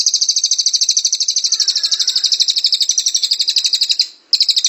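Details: Cililin delivering its 'tembakan rapat' rapid-fire song, a long unbroken rattle of quick, high, evenly spaced notes that runs about four seconds before a brief gap and resumes.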